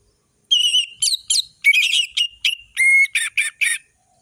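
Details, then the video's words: Lively 'ngeplong' song of an Orange-headed thrush, meant to teach young birds: a string of about nine loud whistled and chattering notes, with one clean flat whistle near the end. "Anis merah gacor ngeplong full variasi"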